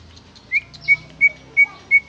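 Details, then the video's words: Original greater green leafbird song without inserted phrases: five loud, pure whistled notes on nearly the same pitch, spaced about a third of a second apart, over faint background hiss. "Suara Cucak ijo Original tanpa isian"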